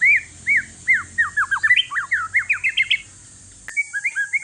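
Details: One-year-old white-rumped shama of Aceh forest lineage, kept as a lure to get other shamas singing. It gives a fast series of looped, up-down whistled notes that speed up, a short pause, then more whistles, over a steady high hiss.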